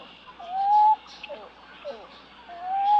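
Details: Pied-billed Grebe calling: two drawn-out, clear whistled notes, each rising slightly then holding steady, separated by a few faint, softer notes.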